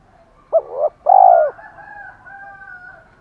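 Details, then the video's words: Decoy spotted dove, 'thổ pha' voice: a wavering double coo and a long rolling coo, followed by a faint thin drawn-out tone. "Chim Cu Mồi Giọng thổ pha, thúc đấu rất đỉnh và gáy gọi chất hai"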